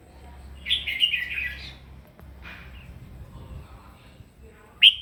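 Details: Morning fighting song from a red-whiskered bulbul, voice training: a warbled whistled phrase at the start, then a long quiet stretch with faint low noise, and a sudden sharp loud note at the end.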